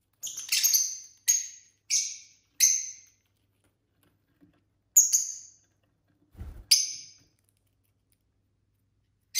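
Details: Lovebirds kept as pets, a group of couples at dinner time, giving short piercing high chirps, four in quick succession then isolated single and double notes after pauses, with one brief low knock.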